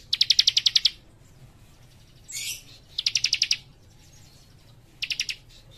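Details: Young leaf warbler in dense, rapid song: a ticking trill, a brief scratchy high phrase, then two more short bursts of fast, sharp repeated notes, spaced about two seconds apart.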